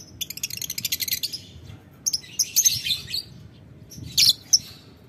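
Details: A lovebird calls a rival with ngetik ngekek sounds, opening with a fast evenly pulsed shrill trill, then scattered squeaky high chirps and a short loud double burst near the end.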